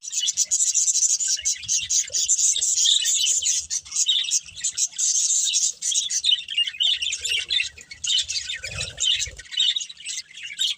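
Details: Budgerigar breeding pair keeping up a steady, busy stream of high, scratchy chirps and warbled chatter, briefly thinning out before resuming, with faint low knocks and rustling in the background.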